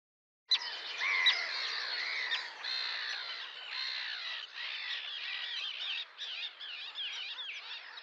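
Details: Sandwich tern calls: harsh, grating, rasping notes from several birds at once, overlapping in a dense chorus after a sudden start, with short rising and falling squawks throughout.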